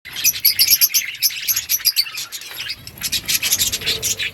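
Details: Budgerigars chirping to one another, a colony of parakeets kept for breeding: dense overlapping high chirps and short warbles from several birds, fast and irregular throughout, with a brief lull near the middle.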